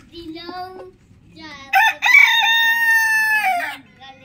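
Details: Morning rooster: a brief stepped call first, then a full loud crow of about two seconds, harmonic and level, ending abruptly, with low clucking in the background.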